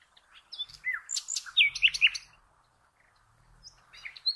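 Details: Nightingale song for teaching caged birds: short rising whistle, then loud clipped notes and looping chirps in quick succession, a brief pause, and quieter high notes returning at the end over a faint low hum.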